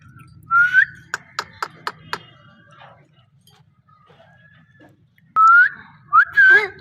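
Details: A talking parrot gives short rising whistled notes, then a quick run of five sharp clicks, a quiet pause, and closing bursts of clear whistles and harsher, voice-like sounds indoors.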